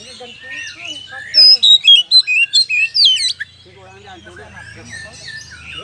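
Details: Loud, agitated oriental magpie-robin song meant to stir other birds to fight: a run of strong sweeping whistles and sharp repeated notes, then softer chatter over a low hum.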